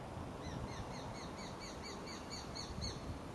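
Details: Two juvenile Japanese sparrowhawks exchanging calls on 15 July 2011, calling to one another before taking off together on practice flights. A rapid run of high, sharp, slightly down-slurred notes, around twelve in three seconds, over soft outdoor noise.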